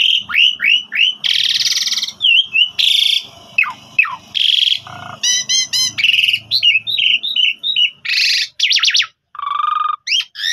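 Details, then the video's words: Javan pied starling in a fast, varied song of rising whistles, harsh buzzy bursts, rapid trills and clear piping notes, delivered without pause. "Master Jalak Suren Gacor Full Nembak Suara Panjang"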